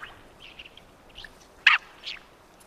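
Mandarin duck giving a few soft, high squeaky notes, then one loud, sharp whistled squeak and a fainter echoing note after it.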